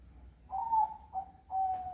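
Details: Zebra dove singing on a foggy morning, three mellow whistled coos in quick succession. The first is longer and slightly falling, the second short, and the third steady and held, over low background hum.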